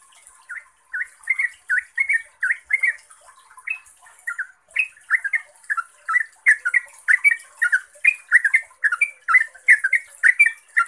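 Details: Yellow-vented bulbul in rapid chattering 'ropelan' song, played to lure other bulbuls into answering: lively, gurgling notes in quick succession with brief pauses, over steady high-frequency hiss.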